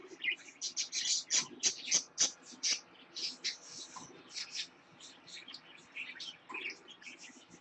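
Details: Young lutino parakeet, a pet born in October 2015: rapid series of sharp, high chirps, about three per second, loud at first then softening, over a faint low hum.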